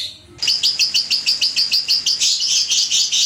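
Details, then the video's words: Young lovebird sounds used as a lure: a steady series of sharp, high chirps, about three per second, growing denser and harsher toward the end. "PANCINGAN SUARA LOVEBIRD PAUD"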